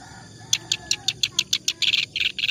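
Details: Clamorous reed warbler in continuous song, used as tutor material: spaced, scratchy chirps speeding into a denser grating chatter, over a low background hiss.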